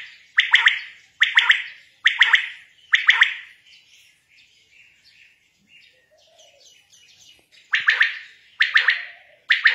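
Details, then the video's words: Quail gives a sharp, liquid call of two or three quick notes, repeated about once a second in two runs with a quiet pause between them. "My batier ki Awaz .quail sounds"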